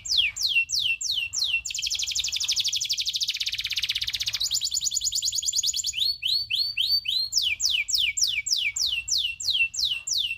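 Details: Local canary tutor song featuring long rolls: loud downslurred whistles repeated about three per second, a rapid buzzy roll, then high clipped notes and more sweeping slurred phrases.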